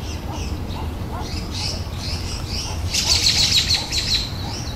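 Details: Birds in a garden: soft chirps blurred by a steady low rumble, then a quick run of about six thin, high, evenly spaced notes before the chirping resumes.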